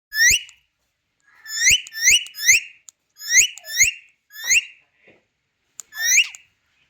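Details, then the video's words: Captive Indian ringneck parakeet, also called Kashmiri green parrot, kept as a pet. Sharp, harmonic calls rising around the middle, given singly and in quick runs of two or three, with soft clicks between bursts in a quiet room. "Crazy Indian Ringneck Talking Parrot"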